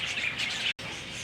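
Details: A flock of budgerigars in the Budgie Walkabout Aviary at Louisiana Purchase Gardens and Zoo, Monroe, Louisiana, chatters together in a dense wash of high, rapid chirps and squeaky warbles with no pause between birds.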